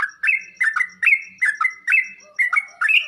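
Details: Sooty-headed bulbul song for getting kept bulbuls to answer: loud warbling clusters of rich slurred notes in paired bursts, each group dropping in pitch, a faint low murmur underneath.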